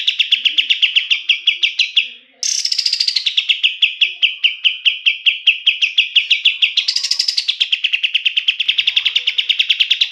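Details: Kapas tembak (pied triller) singing, used as a master song for training songbirds: rapid, steady trills of sharp repeated notes that briefly break off, restart higher, then descend and level out, with a second upward lift midway.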